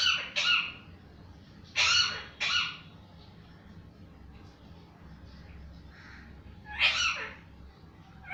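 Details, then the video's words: Parrot calling: a few loud, harsh squawks, two close together at the start, a pair near two seconds and one more near seven seconds, over steady background noise. "parrot voice"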